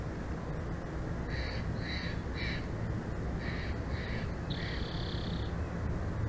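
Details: High, thin piping notes from a bald eagle pair's nest in Big Bear Valley, live cam, 06/10/2024, 14:45: a run of five short notes, then one longer drawn-out note, over constant low background rumble.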